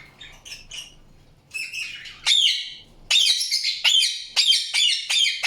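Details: An Indian ringneck parakeet chirps with soft notes at first, then loud, shrill, grating squawks repeated roughly once per second.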